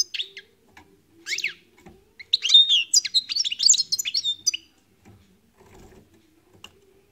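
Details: European goldfinch singing: bursts of rapid, bright twittering and buzzy chirps between about one and four and a half seconds, separated by short pauses, with a faint low hum beneath and near-silence at the end.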